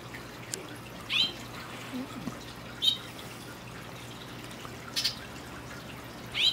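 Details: A male hooded oriole, hidden in palm trees on an evening, skittish and singing for a long while, gives brief, high, sharp whistled notes, one about every one and a half to two seconds, over a faint low hum.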